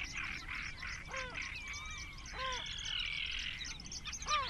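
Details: Nesting great crested grebe on 21 June 2024, one of about 20 nesting close together: three arched, harmonic barking calls spaced a second or more apart, over constant high twittering and chattering from other birds.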